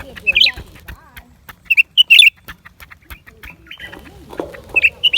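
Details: Lesser green leafbird singing: short, bright chipping notes and quick twittered phrases in scattered bursts, with a faint buzzy slur and soft low background noise.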